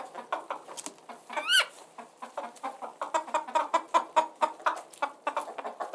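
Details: Chickens clucking in short, throaty pulses, with one loud, high, rising squawk near the start and rapid, regular clucks in the second half.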